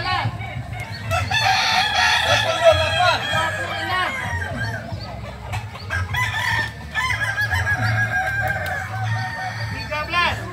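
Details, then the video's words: Kukuak balenggek roosters at a joint training contest; several long, wavering multi-note crows overlap across the clip, rising and falling in stepped phrases, with low engine-like hum and faint voices underneath. "Ayam kukuak balenggek"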